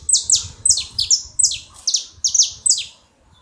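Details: Saffron finch (canário-da-terra) making noise: high sharp chirps in pairs, each note sliding quickly downward, about eight paired bursts in three seconds, then quiet; faint low rumble underneath.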